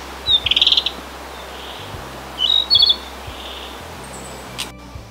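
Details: Narcissus flycatcher on a birdwatching walk in Kita-Harima, Hyogo, Japan, seen only about a metre away, gives two short, high, trilled phrases about two seconds apart, followed by a faint low hum and a single click.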